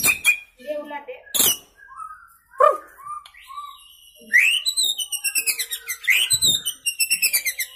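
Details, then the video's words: White-rumped shama, young and newly out of juvenile plumage, singing while keeping to one spot: scattered short whistles and chips, then loud rising notes followed by fast rhythmic trills. "Murai Gacor Muda Lepas Troto Muntah Isian Main Satu Tirik"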